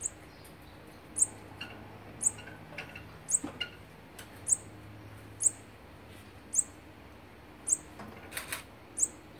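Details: Olive-backed sunbird on day 16 of feeding its young, recorded 3 October 2019: very high, thin chips repeated about once a second over a soft hiss, with faint low rustling between them.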